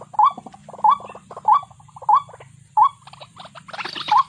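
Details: Six wavering upslurred notes from a waterhen, each trailed by a stuttering rattle. The notes repeat about every 0.6 seconds over low background noise, and a burst of harsher sound comes near the end.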